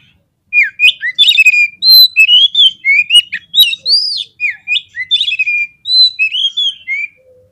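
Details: Kacer (Oriental magpie-robin) fighting-provocation song: a steady stream of bright whistled phrases, sweeping up and down, mixed with sharp ticks and short trills, for about seven seconds.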